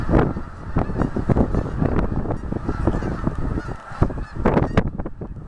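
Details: A flock of some 150 Canada geese lifts off to migrate over a campus on a cold morning at the end of November. Loud, harsh honks overlap continuously, with heavier clusters near the end and constant wind-like rushing behind.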